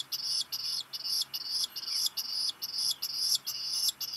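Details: Black guillemot chick begging for rock gunnel brought by a parent, Seal Island National Wildlife Refuge, Maine, USA, midday July 2021; loud, piercing high peeps repeated in quick regular pulses, a little over two per second.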